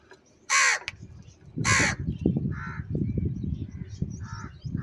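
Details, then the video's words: Several crows squabbling over food: two loud, rasping caws about a second apart, then softer distant caws from other crows over steady low rumbling noise. "Crow sound & Fight For Food"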